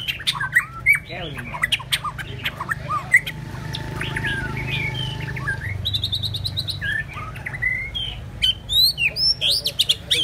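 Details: White-rumped shama, one of two birds, singing a rich, varied run of sweet whistles, slurred rising and falling notes and quick chirps, with bursts of sharp clicky high notes near the end over a low steady hum.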